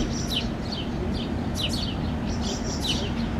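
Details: Fledgling house sparrows vocalizing and gesturing with their wings while a parent feeds them on a lawn, Helsinki, Finland, in June 2013; quick high downslurred chirps, often doubled, against steady low-pitched background noise.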